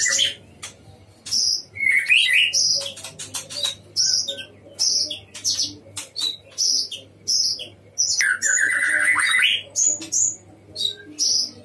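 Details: Captive white-rumped shama singing vigorously in a breeding cage: a rich run of varied whistled phrases, high sweeping notes and lower rolling warbles, with short pauses between bursts and a faint low hum behind.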